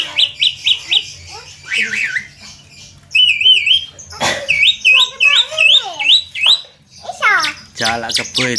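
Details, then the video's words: Javan myna, a kept bird singing energetically, mixing rapid repeated whistles, wavering slurred notes and harsh rasping squawks with buzzy bursts near the end; a few spoken words. "Burung Jalak kebo konslet gacor"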